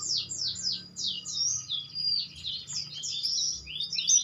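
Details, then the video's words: A leaf warbler sings a dense, loud whistling song meant as a master recording for teaching songbirds. It opens with a quick series of sharp downslurred notes, then shifts to jumbled high twitters and trills, softly recorded over a faint low hum. "Masteran cikrak daun suara rapet dengan roLL nyiuL keras"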